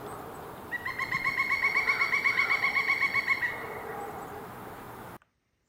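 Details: Pileated Woodpecker giving its loud, maniacal whinny in late winter: about fourteen ringing, evenly spaced notes at roughly four per second, lasting three seconds, over faint background hiss.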